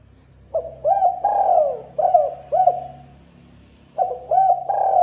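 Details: Spotted dove song used as a bird lure: two low cooing phrases, each a run of short looped coos around a long falling note, with a faint low hum underneath.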